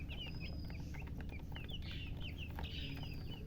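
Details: Freshly hatched chicken chicks calling loudly: steady high peeps, mostly falling in pitch, repeated in quick groups throughout, over a low continuous hum.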